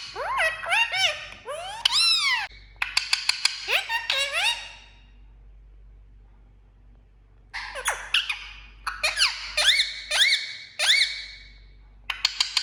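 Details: Pet green parakeet chattering indoors in quick bursts of arching, squeaky, harmonic-rich notes that rise and fall, with a pause near the middle and a soft background hum throughout.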